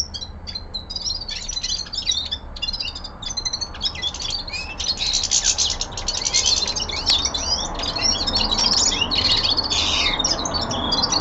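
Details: Young male common linnet singing its winter song in a home setting: long, lively high-pitched twittering, about four notes per second, mixing clipped chirps and buzzy trills over faint background hiss.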